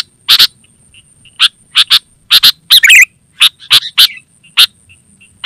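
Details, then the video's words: Kutilang or sooty-headed bulbul call used for luring and training: spaced, grating single and double chips, one tumbling warbled phrase midway, and soft whistled notes between, over a steady thin whine. "Suara Burung KUTILANG GACOR Terbaik Untuk Panggilan dan Masteran"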